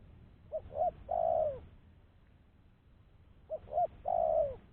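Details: Spotted dove lure call, a clean recording used to attract other doves for trapping: two short soft coos then a longer, falling coo, the phrase given twice with a quiet pause between.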